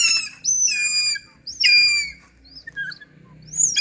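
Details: Hawk-eagle being trained gives loud, piercing whistled screams in three bursts, each opening with a sharp upward sweep and then holding a steady high note, with short softer whistles between; low background hum.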